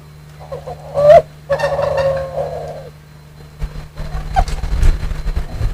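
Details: A spotted dove (tekukur), heard as an example in a comparison of local and Kelantan types, which differ only in voice, gives low husky coos, a short coo then a drawn-out one, over a hum and later rustling.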